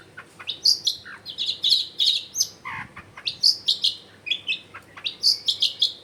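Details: Long-tailed shrike, a lively singer used to draw silent shrikes into song, recorded in a densely populated neighbourhood; dense clusters of high twittering notes with a brief harsh dip midway, repeated in bursts throughout.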